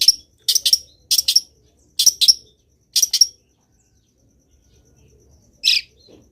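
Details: Long-tailed shrike singing in vocal form, full of fill-in phrases: sharp harsh notes given in quick pairs, a pause of about two seconds, then one last rasping burst.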